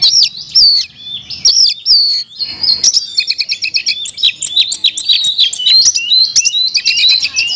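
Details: Oriental magpie-robin (kacer), kept in a cage, singing a rich 'isian mewah' style song: high whistled slurs and rising notes, then rapid stuttering trills and varied chirps packed closely together without pause.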